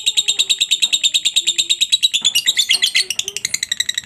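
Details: Lovebird's long ngekek chatter, meant to get other lovebirds answering. Rapid, regular, piercing notes continue for four seconds and become more jumbled near the end. Soft lower tones sound underneath.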